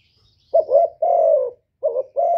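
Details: Cooing of a spotted dove meant to excite males: two phrases of a short, wavering lead-in note joined to a long, smooth, low coo, after a brief quiet start.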